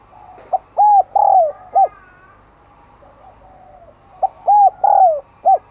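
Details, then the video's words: Decoy spotted dove cooing to attract wild doves, two phrases roughly three and a half seconds apart, each a quick note, a pair of soft drawn coos dropping at the end, and a short closing hoot. "Chim Cu Mồi Thúc Gáy Gọi Mới Nhất / Kích Bổi Siêng Gáy , Có Cả Thúc"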